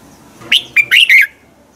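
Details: Single phrase of red-whiskered bulbul morning song, used to train other birds: four fast, sharp whistled notes with quick upward and downward slurs.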